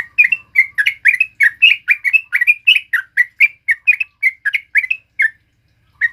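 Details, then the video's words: A yellow-vented bulbul (trucuk kebo) pours out a fast, chattering sequence of liquid whistled notes for about five seconds, followed by silence and one final note. "SUARA BURUNG TRUCUK KEBO GACOR NGALAS"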